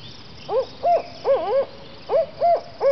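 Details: A spotted owl in a backyard, about 30 yards away after swooping in looking for food, hoots to another owl in the distance: seven short, arched hoots in uneven bursts over three seconds, the second owl faintly audible, with a faint hiss.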